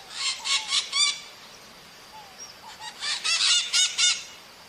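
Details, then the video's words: Maritaca parakeet in the wild giving harsh, grating screeches in quick bursts, about four a second, in two clusters separated by a brief lull with a few softer squeaks. "O CANTO DA MARITACA NA NATUREZA"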